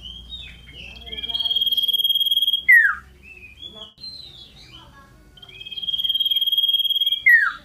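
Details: Loud, piercing song of a scarlet-headed flowerpecker hopping here and there: two long, level, pulsing whistles, each ending in a sharp downward slur, separated by short thin chirps.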